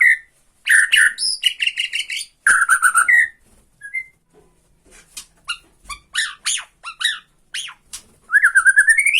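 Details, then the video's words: White-rumped shama from Borneo, a Bornean murai batu, singing to provoke a rival: loud varied phrases of whistles, sharp rapid clicking trills, and short broken notes, ending in a rising buzzy rattle. "BIKIN EMOSI LAWAN || TRETEKAN MURAI BORNEO MANCING MURAI LAIN"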